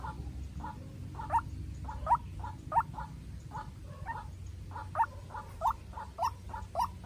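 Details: Young decoy White-breasted waterhen facing a wild bird: rather faint, hoarse mid-pitched notes in an uneven series, alternating stronger and weaker calls, set against a low humming background.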